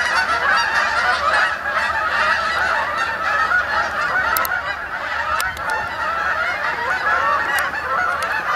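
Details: Over a pond in Sapsucker Woods, Ithaca, New York, a flock of Canada geese flies in for the night on 28 October 2017; constant massed honking, nasal and overlapping, with a few sharp high ticks in the middle.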